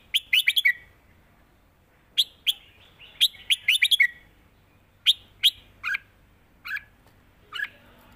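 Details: Song duel between red-whiskered bulbuls trading phrase for phrase in the southern master-pattern style. A rapid cluster of clear whistled notes opens, then spaced single and paired liquid phrases follow every second or so.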